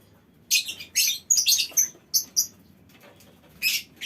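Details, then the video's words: Lovebird colony in a mini aviary, calling together; harsh, high buzzy chirps in short bursts with a few clear whistled notes, bursts spaced by brief pauses. "Suara Lovebird Koloni Bikin Burung Lain Ikut Ngekek Panjang"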